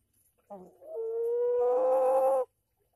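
A rooster crows: a brief harsh opening note, then one long, steady, slightly rising drawn-out tone lasting about a second and a half.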